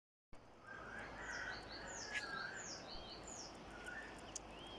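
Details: Birds chirping in Kashmir, Pakistan: many short high whistled notes and upward-sweeping chirps from several birds, some lower warbled phrases, over steady background noise.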